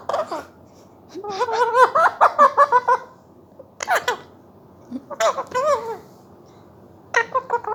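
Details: A pet Indian ringneck (Rose-ringed) parakeet, just starting to talk and known to copy the family's laughter, gives bursts of chattering, laugh-like and warbled mimic sounds in short phrases with pauses, indoors.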